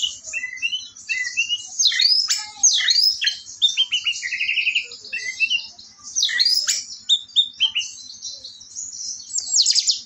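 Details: Orange-headed thrush singing on a morning of 4 August: a rich, rambling song of fast whistles, trills and mimicked chirps, continuous and varied, mostly high-pitched.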